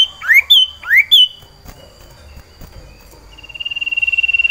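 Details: Sirtu iora kept in a cage and in breeding condition, calling for a mate: two loud rising-then-falling whistles, a quiet gap, then a rapid pulsed trill building in volume.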